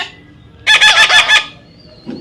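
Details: Young parrot being offered food, calling with a harsh, rhythmic rasp of five rapid pulses lasting under a second, followed by quiet and a faint human sound.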